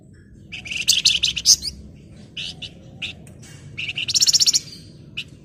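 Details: Excited Flamboyan in breeding condition calling to a rival, delivering dense buzzy chatter phrases, then short scratchy notes and a fast, evenly pulsed rattling trill near the end, with a low hum underneath.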